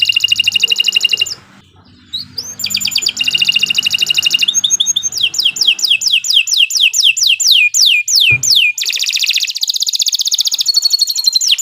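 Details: Long continuous canary song as a training master: alternating dense high trills and series of downward-sweeping whistles at roughly three notes per second, with a faint low hum early on.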